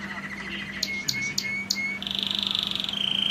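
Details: Red factor canary singing indoors: a thin rising whistle, then four sharp high clicks, then a fast buzzy trill held for about a second before a steadier high note, over a low steady hum.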